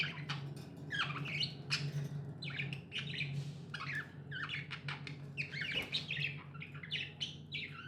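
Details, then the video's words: Budgies chirp busily in a steady stream of quick, squeaky, chattering notes that barely pause, backed by a prominent low droning hum. "Budgies amazing love & chirping sounds"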